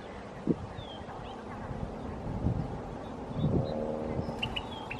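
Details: A white-faced ibis in an arroyo behind an apartment complex gives low, nasal, duck-like grunts, three short bursts spaced about a second or two apart, with faint high chirps from small birds near the end.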